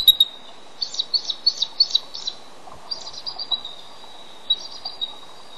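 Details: Male bald eagle on the nest during incubation, calling for his mate to come and relieve him. High, thin, chittering notes come in a quick run of about six, then shorter, softer series after a pause, over a quiet background.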